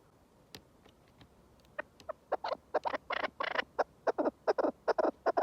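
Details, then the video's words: {'caption': 'Chukar partridge with scattered faint clicks, then a gathering run of loud, broad, raspy chuk notes, quickening and growing stronger over the last three seconds.'} "کەو - دەنگی کەو - کەوی دەنگ خۆش - kekliksesi - keklik - куропатка- صوت الحجل"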